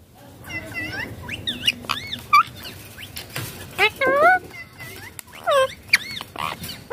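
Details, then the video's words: Rose-ringed parakeet vocalising while playing on a mobile phone: scattered short chirps and wavering whistled notes, a few louder upward-curving syllables near the middle and end, with clicks and tapping sounds between. "Ringneck Green Parrot talking"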